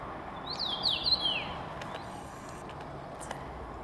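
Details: Common rosefinch near a house on Kamchatka, Russia: a single clear, whistled phrase of rising and falling slurred notes lasting about a second. Steady broadband background hiss follows.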